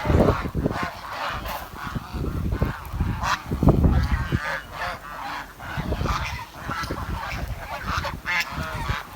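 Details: Loud, nasal honks from village swans come in clustered bursts with short pauses between, backed by constant low-frequency rumble.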